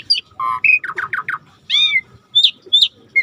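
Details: Asian pied starling song used as a lure to get silent birds singing: a quick jumble of clear whistles, short slurred notes and a few rising and falling whistles.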